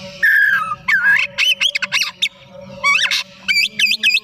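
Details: White-rumped shama singing in the afternoon, used as a lure to prompt other birds: loud clear whistles, sweeping and looping notes in quick varied phrases over a steady low hum.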